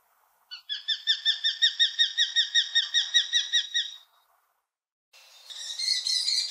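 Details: Wittlicher Tal kestrel, 2018, delivering an even run of about fourteen quick, sharp kee notes over three seconds, then a pause and a harsh, rasping, noisy burst.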